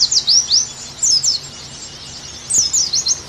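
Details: A few separate high downslurred whistles and twittery notes from an Oriental white-eye, used to coax kept pleci into song, with quiet gaps between phrases.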